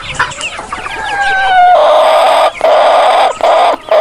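A rooster crows with a loud, hoarse, drawn-out call that rises and then holds steady, breaking off briefly and starting again. Softer clucks come first.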